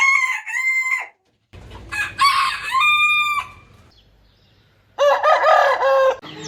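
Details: Several loud rooster crows from a mix of rooster types, each a strained, harmonic cry held flat and then cut short, with a wavering crow at the end over low rumbling background.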